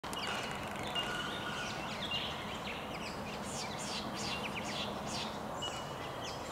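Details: About a dozen Swift Parrots staging in the early morning before flying off to feed on Spotted Gum blossom in Werakata State Conservation Area, Pelton, NSW, give overlapping high, thin, metallic chirps and short downward-sweeping notes in quick bursts over steady hiss.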